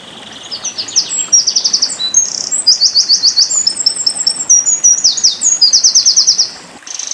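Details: Eurasian wren song in a burst, offered as tutor material for white-eyes: very high, rapid rattling trills and sharp whistled notes run together for about six seconds before a brief pause.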